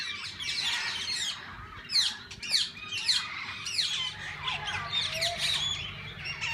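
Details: Assorted parakeets in a walk-in aviary where visitors feed and hold them: rapid, sweeping chirps and raspy squawks pile on top of each other, with louder bursts every second or so from nearby birds.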